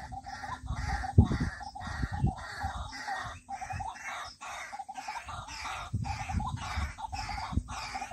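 A white-breasted waterhen gives loud, harsh, croaking notes repeated in a steady rhythm, roughly two per second, over low rumbling background noise.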